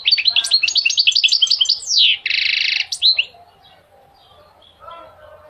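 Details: Goldfinch singing to motivate males and teach young birds: rapid tinkling twitter of repeated notes, a sweeping slurred phrase, then a dense buzzy rattle before the song trails off.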